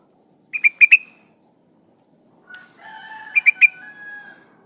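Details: Female yellow-vented bulbul, described as in breeding condition, calling the male: a quick run of three or four sharp, bubbly notes, then a pause and softer whistled tones before a second similar rapid triplet.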